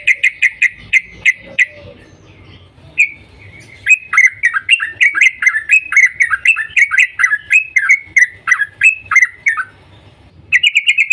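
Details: Yellow-vented bulbul giving its lively rapid 'cuk cuk' morning call, used to get other bulbuls singing: a quick run of short chirps, a pause, then a long fast series of dipping two-part notes ending in a brief burst.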